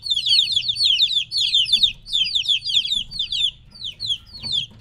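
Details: Chicks around three weeks old removed from their mother give loud, thin, downslurred cheeps in overlapping bursts that thin out toward the end, soft low-pitched hum behind.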